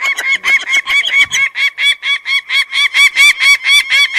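A peregrine falcon gives a fast, harsh, grating kak-kak-kak, about four loud, rasping notes a second, steady throughout.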